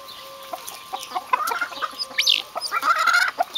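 Vulturine guineafowl giving harsh, nasal, clucking calls over a faint steady hum.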